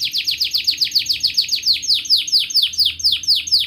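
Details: Canary song used to prompt young canaries to learn singing and coax silent ones: a fast trill of downward-sweeping notes, slowing midway into broader, louder sweeps, about two per second.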